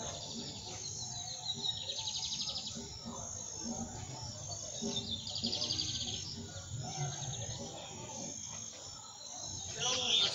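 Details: Lined seedeater singing: short high trilled phrases repeat every couple of seconds over a steady hum of background noise and low murmuring, with a louder burst near the end.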